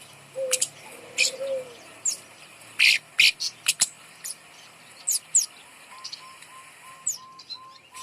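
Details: Kemade bird song played to coax silent caged birds into singing: sharp, high, scattered chirps and clicks in short bursts, a soft low whistle early, then a run of short, even piping notes near the end over a faint insect-like hiss.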